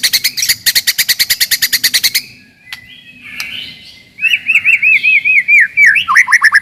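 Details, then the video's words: White-rumped shama singing to provoke rival birds and toughen young birds: a rapid train of repeated high notes, a pause with soft sweeping tones, then a wavering warbled phrase and more quick repeated notes. "KICAUAN TERBAIK,,PASTI AMPUH,, MEMANCING/MENAIKAN EMOSI LAWAN."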